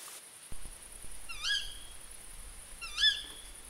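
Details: A female Tawny Owl utters two short, shrill, high-pitched screeches about one and a half seconds apart, recalling a Little Owl's song, over a steady low rumbling background noise.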